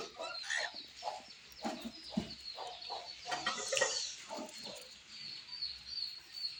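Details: A pet cockatiel sings a rambling run of chirps, whistles and scratchy chatter.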